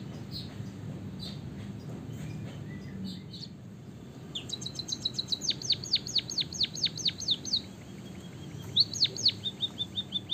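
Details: White-headed munia, Java, delivering a long canary-like roll used as a singing stimulant for other birds: faint chips at first, then bright high ticks leading into a steady train of downward-swept whistles, followed by another burst of rapid high notes.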